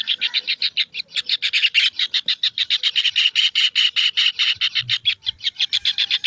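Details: Chicks of a kingfisher produce a dense run of loud, grating notes about two and a half per second, somewhat uneven in spacing, with a brief low thud near the end.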